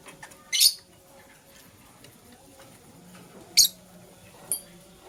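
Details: Green lovebird in the morning giving three brief, sharp, high chirps spaced about three seconds and one second apart, each a short grating burst against near silence.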